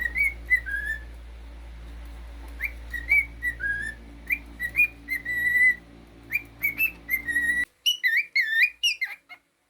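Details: Pet cockatiel whistling a string of short, clear tonal notes with slides up and down. A run of higher, wavering whistles follows near the end.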